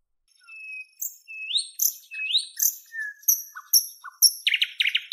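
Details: A Northern European nightingale delivers long pure whistles that rise into loud sweeping notes, followed by high thin tones, low dull clicks and a closing burst of rapid buzzy chirps.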